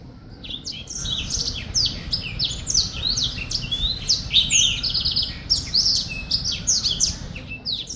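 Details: Black-throated finch singing, a fast, high twittering run of thin chirps and buzzy notes for about six seconds over a low background hum.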